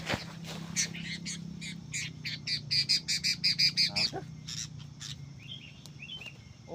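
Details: Sooty-headed bulbul heard while trapping with a decoy, a juvenile bird being caught; a run of sharp, high repeated notes in the middle, mixed with scattered clicks and handling noise, and softer chirps near the end.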